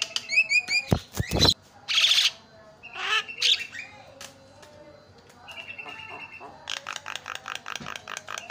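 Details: Javan myna sounds used to set off silent mynas: quick whistled notes, sharp clicks, harsh grating squawks and a closing run of rapid pulsed notes, with some background noise.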